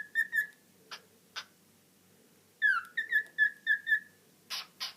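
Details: A female cockatiel chatting to herself gives clear, mellow whistled notes, including a sliding wolf whistle, between sharp chirps.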